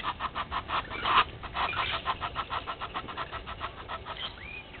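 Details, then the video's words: Red-billed hornbill looking for a meal at Gowrie dam waterhole, Djuma Game Reserve, Sabi Sand, South Africa, at 07:48 on 20 March 2021, filmed by a live camera; a long series of hollow clucking notes, roughly two per second, uneven and steady throughout. "Red-billed Hornbill looking for a meal"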